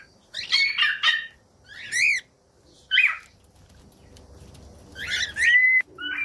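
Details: Cockatiel sounds for training cockatiels to sing: several loud harsh screechy calls with gaps between them, then two short clear whistles near the end.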